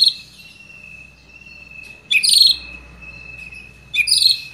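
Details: White-rumped shama singing after being provoked by a lure recording: two short bursts of bright, high chattering notes about two seconds apart over a long steady thin whistle tone and faint low hum.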